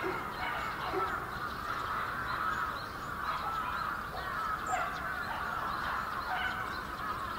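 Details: A large winter flock of bramblings in Yoyogi Park, Tokyo, Japan, in February 2019, making a dense, continuous chattering chorus of many overlapping calls, with a few higher chirps standing out.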